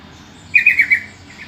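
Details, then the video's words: Yellow-vented bulbul lure call meant to make other bulbuls answer: a quick bubbly phrase of about four chattering notes, sliding slightly downward, lasting half a second over a faint low hum. "suara panggilan trucukan,trucukan lain pasti nyaut dengar suara panggilan ini"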